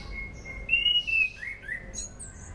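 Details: Sunda pied fantail song used as a lure for training birds: sweet whistled notes, a bright sustained whistle, then short falling slurs, over a soft low hum and faint high chirps.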